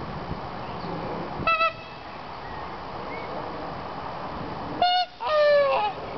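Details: Tundra swans living in a nature park call in two bursts: a short nasal honk with a clear ringing tone near the start, then a louder double honk followed by a longer, slightly falling bugle later on, over steady background hiss.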